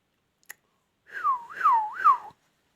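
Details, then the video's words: Rose-ringed parakeet, a talking ring-neck kept as a pet, giving three looping whistled phrases that rise and fall over about a second and a half, with a single click just before. "PARROT KING PARROT INDIAN TALKING |RING NECK"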